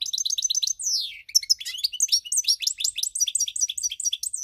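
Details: Pied European goldfinch singing, recorded 8 February 2020: a continuous rapid stream of bright twittering notes, quick repeated chirps and slurred falling whistles with hardly a pause, clear and close.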